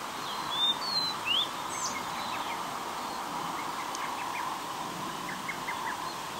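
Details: Blue-and-white flycatcher recorded at very close range on an Olympus PEN mini E-PM2 camera, singing softly while holding food in its bill: a few thin whistled notes and quick sweeps early on, then faint scattered chips over steady background hiss.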